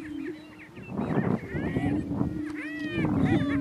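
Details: Lek in northeast Kansas where two greater prairie chicken males fight for dominance: a sustained low moaning hum continues throughout, overlaid by harsh cackling and upslurred whoops in a scrappy flurry.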